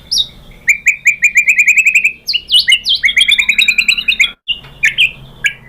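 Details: White-rumped shama singing as a lure recording: a fast run of about a dozen repeated rising whistled notes, then buzzy downslurs and another rapid trill-like series, a short gap, then a few loud clear phrases.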